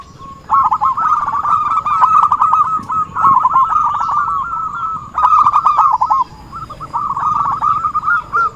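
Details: Zebra dove for trapping bait: four long phrases of rapid staccato cooing trills, each separated by a brief quiet gap.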